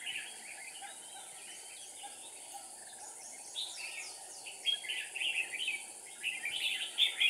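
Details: Decoy red-whiskered bulbul singing during a trapping session on 7 April 2019: lively chattering phrases of rapid high warbled notes, quiet at first, then dense repeated bursts in the final three seconds against constant hiss.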